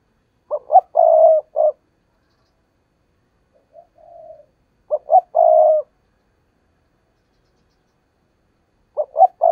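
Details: Spotted dove used as a decoy, cooing to lure wild doves for trapping: loud low phrases of short clipped notes ending in a long even coo, repeated about every four seconds, with a soft faint coo between them.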